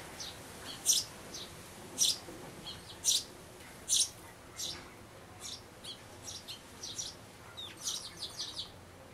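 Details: At a nest box in May 2012, a day before the young sparrow fledges, parents urge it out with bright high chirps, several loud notes about once a second, then softer quicker chirps.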